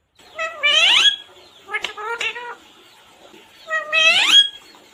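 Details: Pet parrot said to talk, with phrases like "mummy papa koun aaya hai": two long rising, wailing harmonic calls frame a pair of short clipped syllables, in a quiet room.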